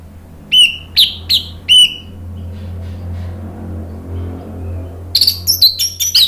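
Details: Orange-headed thrush singing as a lure to stimulate birds: four sharp, downslurred high whistles spaced about half a second apart, a steady low hum between, then a quick jumble of squeaky notes.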